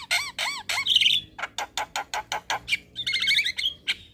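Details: Javan myna singing at dusk to train young birds: a few descending nasal whistles, a trill, then a steady run of about a dozen harsh chacks, closing with a wavering buzzy trill.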